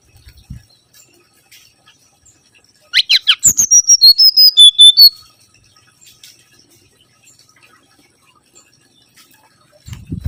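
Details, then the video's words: Mangrove whistler (kancilan bakau) song used as a lure: a quick run of about ten clear, high whistled notes stepping downward over two seconds, with near silence before and after. "PANCINGAN SUWARA💯‼️ BURUNG KANCILAN BAKAU"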